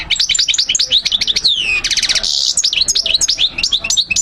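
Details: European goldfinch song played for training young birds to learn it: fast liquid twittering of rising and falling whistled notes, a long descending slur near the middle, then a dense buzzy trill before more rapid chirps.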